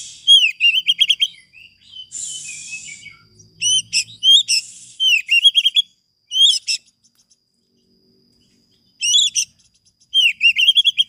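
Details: Vigorously singing Oriental magpie-robin on a master lure recording for training other birds. Loud, fast series of sharp whistled notes and slurred phrases, a harsh buzzy burst near the start, and a pause before more ringing whistles.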